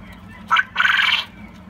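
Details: Black Japanese (coturnix) quail crowing among companions in a long non-stop bout: a short sharp note, a brief pause, then a longer harsh, buzzy rattle over a faint low hum.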